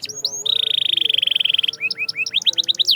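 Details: Canary song: a few brief high notes, then a long, rapid, steady trill lasting about a second, followed by a series of rising, upswept whistles.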